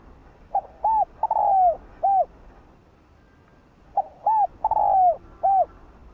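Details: Spotted dove giving a gentle calling coo used to stir decoy birds into cooing. Two phrases, about three seconds apart. Each has a soft short note, then two clear coos, a long drawn-out coo that falls at the end, and a final coo. The background is quiet.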